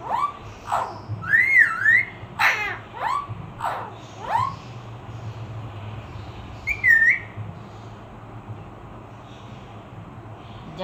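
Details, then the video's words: Pet parrot speaking the phrase "Allah Ho Allah Ho": quick falling whistled syllables and a warbling whistle in the first half, then mostly quiet room tone with one short wavering whistle. "Allah Ho Allah Ho | Talking Parrot"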